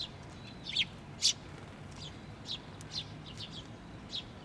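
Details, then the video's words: Chick perched on a post at a Tenmangu shrine, 16 May 2023, with a parent bird returning; two loud sharp chirps early, then softer high chirps spaced about half a second apart. "支柱の上で鳴いてた雛鳥 親鳥が戻って来た"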